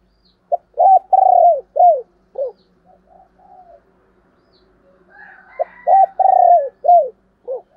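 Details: Spotted dove female, thổ đồng style, calling to draw in wild males: a phrase of short and long husky coos falling at the ends, soft low mutterings, a higher buzzy sound, then the coo phrase again.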